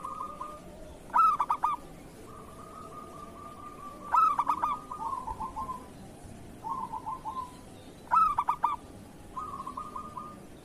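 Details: Kerot-style song of a local zebra dove, a master recording for training caged doves. Loud, stuttering coo bursts come about every three to four seconds, each followed by softer rolling trilled phrases.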